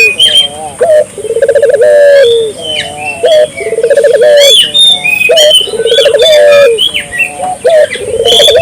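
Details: Energetic Barbary dove cooing: low, trilled, slightly rising coos come in repeated bursts about every second or two. Many bright chirps and whistles from other birds overlap throughout.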